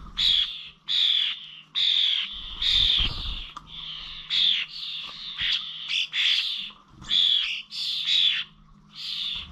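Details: Common starlings at the Corby Old Village bird feeders on 21 November, giving harsh, buzzy bursts around a steady squealing band, repeated roughly once a second with short gaps, and a faint low hum underneath.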